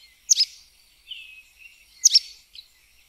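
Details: Sooty tyrannulet (Serpophaga nigricans) giving two sharp, high doubled notes nearly two seconds apart, with a soft, lower buzzy note and a faint chip in between.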